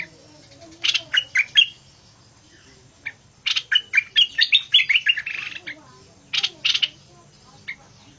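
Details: Vigorous fierce-style bulbul song with short buzzy notes, then a rapid descending cascade of whistled notes, followed by two harsher bursts and a last single note.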